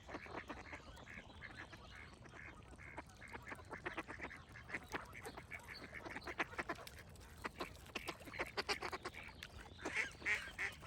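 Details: A long stretch of rapid duck quacking, roughly three harsh notes a second and irregularly spaced, with bright bird whistles rising near the end.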